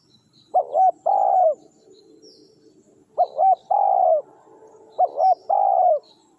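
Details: Spotted dove phrases used for luring wild doves, three in a row about two seconds apart: two quick rising coos and then a long, buzzy, gently falling note, with a quiet background.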